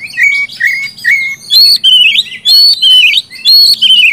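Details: Oriental magpie-robin song used to rouse non-singing birds: soft repeated whistled notes at first, then loud bright warbling phrases with scratchy overtones, each about half a second, repeated steadily.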